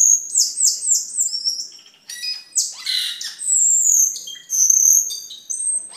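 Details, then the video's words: Gacor song of a cucak keling, the vigorous singing used as masteran for training caged birds and as a lure: a fast series of high whistled downslurs, then scratchy chatter and long thin sustained whistles. "Suara Burung Cucak Keling Gacor untuk Masteran dan Pikatan"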